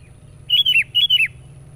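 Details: Loud sooty-headed bulbul lure song: two matching whistled phrases in quick succession, each a rolling, liquid whistle that drops in pitch at the end, with a faint steady high hum behind.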